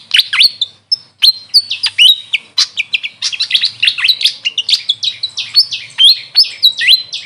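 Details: Squeaky, high chirps and falling-then-rising whistled notes from a grey fantail (locally Maria Capra), repeated in a lively, steady stream with only one brief pause near the start.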